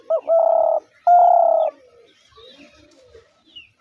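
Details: Spotted dove producing the hunter's dove call: a short hooked note then two long, steady, deep coos in quick succession, followed by faint chirps and soft background noise.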